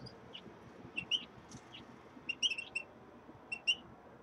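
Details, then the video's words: Common redpolls in a cage shared with a linnet, getting used to a new cage; scattered short, high chirps, given singly and in small clusters of two to four, separated by brief silent gaps over a faint room hum. "Реполов Чечетки обживают новую клетку"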